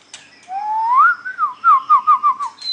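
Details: White-rumped shama song in a singing contest: a rising whistle sliding upward, then a series of rapid wavering warbled notes, ending in a high thin whistle.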